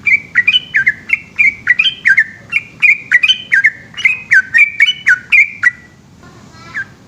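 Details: Yellow-vented bulbul, a long night-time song: rapid bubbly whistled notes, each dropping or rising in pitch, strung together about four per second for nearly six seconds, ending in a brief pause and one last note.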